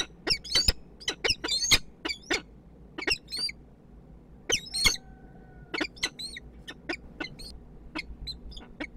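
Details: Male and female peregrine falcons meet at a nest in Kwidzyn, Poland, 29 September 2024, giving rasping, high squawks in quick clusters with short gaps, then sparser, fainter notes.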